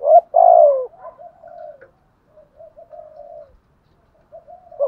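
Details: Decoy spotted dove calling in the morning to lure a flock: one loud, low, slightly falling coo, then a string of softer, quieter coo notes with brief pauses.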